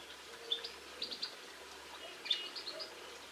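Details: A linnet in Cornwall on 22 March 2016 gives two quick bursts of thin, twittering, high-pitched notes about two seconds apart, over a soft outdoor hiss.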